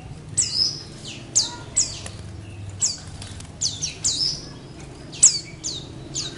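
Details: White-eyes calling steadily when put together with other white-eyes: thin, high, sweeping notes in short bursts, one or two a second, possibly more than one bird, over a quiet background.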